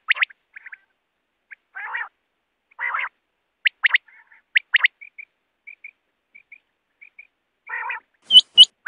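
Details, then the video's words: Wild quail used for net hunting, giving sharp rising chirps, often in quick threes, mixed with short nasal buzzy bursts and soft paired whistles, ending with two loud clicking notes. "BATER Ki Awaz|Batair ki awaz 2024|Quail sound 2024|Quail shikar ki awaz"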